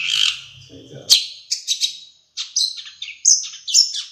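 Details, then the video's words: A Madura long-tailed shrike sings with mimicked sparrow and Java sparrow notes. Its phrases are scratchy and chattering, mixed with short high whistles, and a brief low sound is heard near the start. "Suara Burung Cendet Madura Gacor variasi Gereja gelatik wingko"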